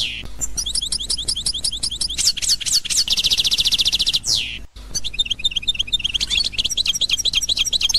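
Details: Constantine-style song of a European goldfinch from 2021, fast liquid twitters giving way to a sustained buzzy rattle, a short break, then renewed quick chirping phrases.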